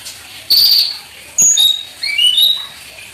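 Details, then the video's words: Olive-backed sunbird (konin, kolibri ninja) singing a lively gacor song with full isian fills: three separate bursts of thin, high whistled notes, the last a rising, stepped series of short whistles, with quiet pauses between. "MASTERAN KONIN GACOR FULL ISIAN MEWAH MATERI KEKINIAN NEMBAK CUCAK CUNGKOK"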